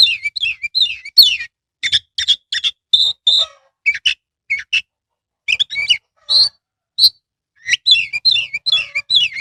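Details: Captive Oriental magpie-robin singing a lure song to rouse reluctant birds: rapid warbled runs of rising and falling whistles, short repeated chip notes, and pure whistles between busier bursts.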